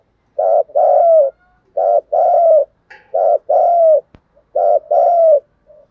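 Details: Cooing spotted dove, thúc gù giọng thổ style, a recording used as a lure for wild doves. Four phrases, each a short hoot followed by a longer falling coo, repeated roughly every 1.4 seconds, with a faint click between.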